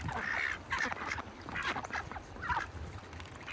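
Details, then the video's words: Ducks in a bucket at a farm in winter, giving a few loud drawn-out nasal quacks in quick succession, separated by short gaps. "ducks in a bucket - wintertime"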